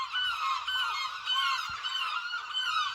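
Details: Gulls calling at Lossie: a dense chorus of many overlapping harsh, nasal calls, continuous throughout with repeated downslurred notes and no clear gaps.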